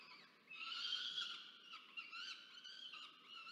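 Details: Peregrine falcon chick demanding food from a parent, nest camera at Charles Sturt University, Orange, New South Wales, Australia, 13 November 2022; after brief quiet, a loud harsh wailing scream starts, then wavering, uneven screeching continues.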